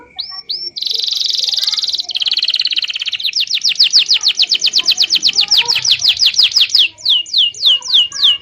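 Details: Local canary song used as basic tutoring for young white-rumped shamas: two high upslurred notes, a loud sustained buzzy roll, then a long fast series of high descending whistled sweeps, slowing toward the end.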